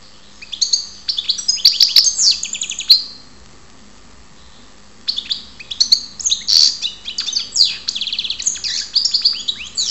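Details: Goldfinch singing in Ptolemaida, Greece: tinkling twittered phrases and quick trills, a pause of about two seconds, then a longer lively jangling stream of chirps and buzzy notes; faint hum beneath.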